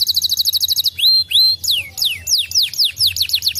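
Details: Gloster noz canary sings a quick high trill followed by long rising whistles and a series of steeply falling slurred notes, about four to five per second.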